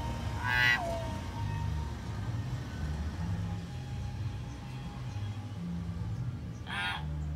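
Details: Young wild common hill myna recorded in the morning and used as a lure sound: two loud, harsh, broadband calls, one near the start and one near the end, over a steady low hum in between.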